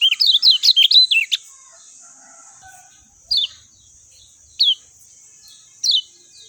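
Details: Lemon-bellied white-eye in clear, natural voice: a quick burst of bright, twisting warbled notes, then single sharp downslurred whistles spaced over a second apart, with a steady high hiss behind.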